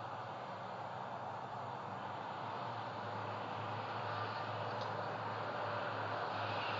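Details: Steady mechanical drone with a low humming tone, like a running vehicle or motor, and no clear animal sound.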